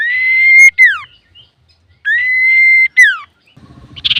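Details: Lively male common iora song, used as a lure for other birds: a long rising-then-level whistle ending in a falling slide, repeated twice, followed by a burst of rough chattering notes.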